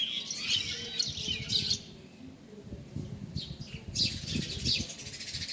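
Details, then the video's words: Bird producing a dense run of high twittering chirps, which pause, then resume in a second busy burst, over a steady low-pitched background rumble. "Amazing Bird sounds"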